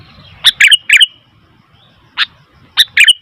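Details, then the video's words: Sooty-headed bulbul making noisy calls: a few quick liquid chirps, a pause, one harsher note, then another pair of bubbly chirps. "Suara Burung Kutilang ribut"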